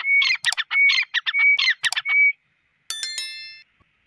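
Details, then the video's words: Grey francolin, known as teetar, calls in a loud, rhythmic run of raspy, scratchy notes broken by clear whistled slurs. The run stops abruptly after about two seconds. A brief, sharp, ringing metallic sound follows near the end. "تیتر کی آواز Gray FRANCOLIN Sound Voice"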